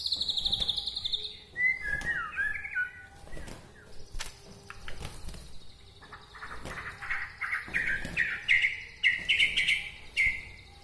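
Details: Bahorok white-rumped shama from Medan, whose song is said to stir other shamas; high whistles and slurred notes, then a long run of rapid, bright repeated chirps growing louder toward the end.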